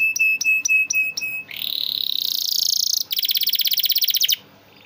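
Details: Training song of a diligent canary meant to coax silent canaries: five crisp repeated chirps, then a long rising buzzy trill and a final rapid rattling roll ending abruptly.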